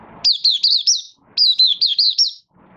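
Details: Malaysian white-eye beginning to sing while in minor moult and not yet in form, 24 August 2023: two back-to-back bright phrases of five quick, wavering high notes, loud and clean against a quiet room.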